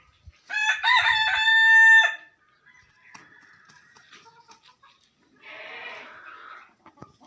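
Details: Rooster crowing: a loud, harmonic-rich crow of about one and a half seconds with a broken start, then fainter scattered calls and a short burst of rough, noisy sound near the end.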